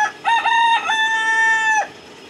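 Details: A rooster crows once in a loud, harmonic-rich cock-a-doodle-doo: short rising notes followed by a long sustained, slightly falling tone lasting over a second, with faint background hiss.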